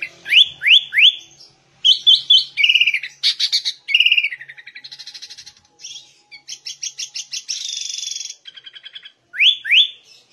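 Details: Sooty-headed bulbul singing actively in the 'ngegaruda' style, a varied medley of sharp rising whistles, rapid rattling trills, buzzy sustained notes and chattering runs, switching phrases every second or two, with brief pauses between bursts.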